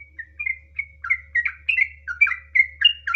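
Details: Sooty-headed bulbul (trucukan) singing gacor in the long ropel style, used as a lure to make other birds sing: fast chain of short whistled notes around mid pitch, bubbly and varied, about four per second, over a faint low hum.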